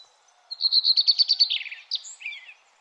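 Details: Early morning bird at sunrise gives a quick trill of about ten evenly spaced sharp chirps that slide slightly lower. A short pause follows, then a few twisting whistled notes. The background is quiet.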